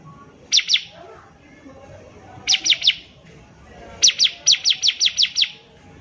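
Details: Bar-winged prinia in vigorous song, used as tutor material for young birds learning to sing: three bursts of sharp, downward-sweeping high chips, first three notes, then three, then about seven in quick succession, over faint low background hum.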